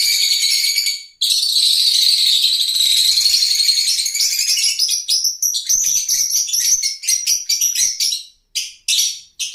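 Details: Lovebirds keep up a loud, continuous shrill twitter for several seconds, which then breaks into rapid clipped squeaks and short chirps toward the end.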